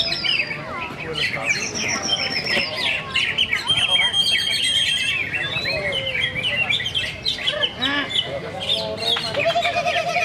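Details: Greater green leafbird singing at a songbird contest: dense, rapid chattering song of varied whistled and buzzy notes, with other caged birds calling nearby and people talking in the background.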